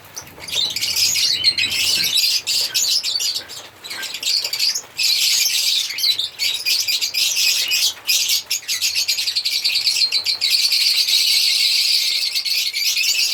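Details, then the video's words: African lovebirds chirp and sing in a long, dense stream of shrill squeaks, with rapid irregular notes and short gaps, strongest and steadiest toward the end. "Lovebirds singing sound/Lovebirds sound/African Lovebirds singing and chirping sound"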